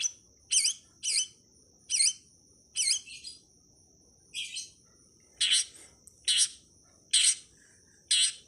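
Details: Long-tailed Shrike master recording made for training songbirds: harsh, buzzy chirps repeated about once a second, some doubled, over a steady high thin whine and faint low rustle.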